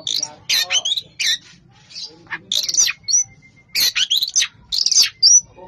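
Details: A champion Oriental magpie-robin delivers a dense song in rapid bursts. Scratchy, buzzy phrases alternate with clear rising and falling whistles and sharp high notes, with short pauses between bursts and a faint steady tone in the background.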